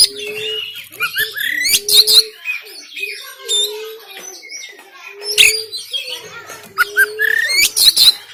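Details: Kacer (oriental magpie-robin) recorded in Banten with an Android phone, used to encourage reluctant caged birds: harsh, explosive rasping notes and quick whistles, with a low level tone sounding about every 1.3 seconds underneath.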